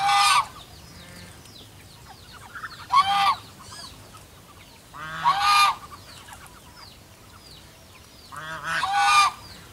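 A goose gives four loud, harsh, nasal honks, each under a second long and spaced two to four seconds apart, with softer honking in between.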